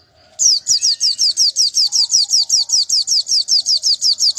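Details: Contest white-eye of the national type, G16 or G20 class, whose odd song is meant to unsettle opponents. A brief soft note, then a long run of sharp, high, down-slurred notes repeated evenly, nearly three per second, without pause.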